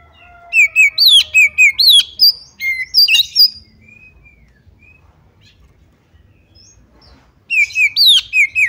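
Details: Calls of a female white-rumped shama, meant to get other shamas singing: rapid runs of loud, sharp whistled notes with downward slides, a pause with faint distant whistles, then another quick loud run.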